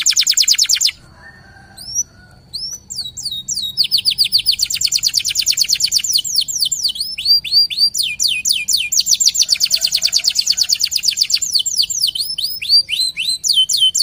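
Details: Local canary in energetic song for training other birds: after a short pause, long fast trills of high chirps build and continue with swooping whistled phrases, nearly unbroken.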